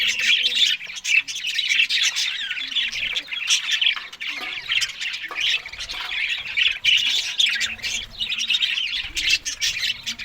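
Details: Australian budgies feeding on green food one morning: thick, harsh squawking chatter from many birds, rapid and overlapping, with sharp clicks scattered across the whole stretch.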